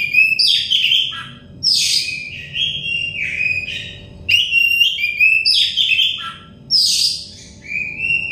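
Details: Oriental magpie-robin song for soothing stressed, untrained birds into full song: three bursts of varied whistled phrases with short gaps, each opening loud and sweeping down.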